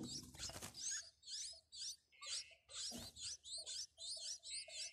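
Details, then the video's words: Newly hatched nestlings in a clay nest box, being fed by their mother, giving high, wavering chirps in quick clusters, roughly two a second, with soft lower squeaks and a couple of rustling thumps. "Hungry bird get food"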